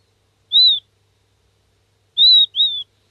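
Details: Week-old king quail chick calling for its parent: clean high whistled peeps arching up and down, a single note followed after a pause by a quick pair, in otherwise silent surroundings.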